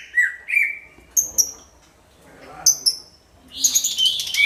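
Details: Greater green leafbird singing loud, booming song used as a lure for all kinds of birds; scattered sharp whistles and chirps in separate bursts with quiet gaps, ending in a dense burst of high chatter.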